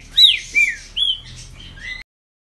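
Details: Ligeirinho-style song from a caged green-winged saltator in Brazil, kept for song tournaments: a run of four quick, loud whistled notes, slurring downward, ending in a rising phrase before abrupt silence.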